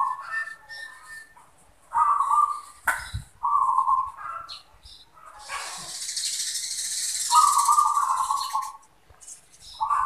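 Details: Zebra dove, perkutut, manggung song: trilled rolling phrases repeated several times, a sharp knock, and a stretch of hissing noise in between.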